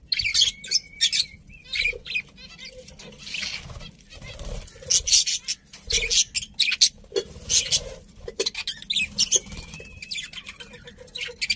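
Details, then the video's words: Pet budgerigars chattering in scratchy, high bursts with a few thin whistled notes and a quieter stretch mid-way, then busier chirping toward the end. "Cute Budgies Chirping Sounds"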